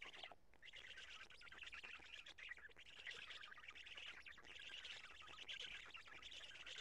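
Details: At a Karula nest on 2 June 2017, around 20:04, a black stork nest change and feeding brings steady wheezing, rasping calls, uneven scratchy bursts running almost without pause over low background noise.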